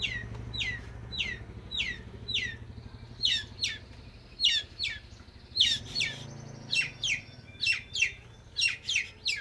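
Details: Young long-tailed shrike, still in its juvenile voice phase, singing energetically through its repertoire of material: a steady string of sharp, downward-slurred whistled notes, about one per second, some doubled, over a faint low hum.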